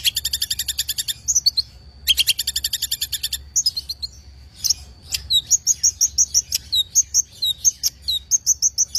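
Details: Long-tailed shrike singing loud, high, rapid series of sharp repeated notes in fast bursts, then a run of varied chirps and whistled notes repeated about twice a second, with no other clear sounds.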